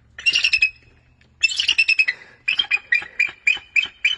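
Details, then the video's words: An eagle calling in exchange for a fish treat: two bursts of shrill, squealing chatter, then a run of short, sharp high yelps about three per second. "eagle sings a song"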